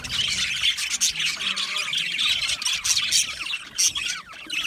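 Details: Budgie chirping and singing, with busy overlapping high twitters, squawky notes and short whistled chirps that rise and fall over a constant bright chatter.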